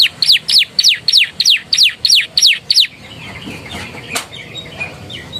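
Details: Canary singing, its master song carrying Javan tesia and bar-winged prinia phrases. Nine loud downslurred whistles repeat evenly, about three a second, then fade into softer scattered chirps and background noise.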